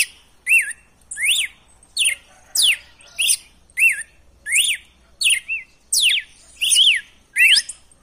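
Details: Male red-cowled cardinal (Paroaria dominicana) song used to rouse and fire up captive males; loud, clear whistled phrases swooping up and down, about eleven in eight seconds, with sharp high notes.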